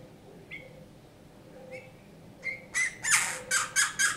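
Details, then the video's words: Captive Eurasian bullfinch, rescued injured and frozen from a snowdrift in January 2019, singing folk songs indoors: soft piping whistles and a low tone, then a run of loud harsh bursts. "Снегириные народные песни"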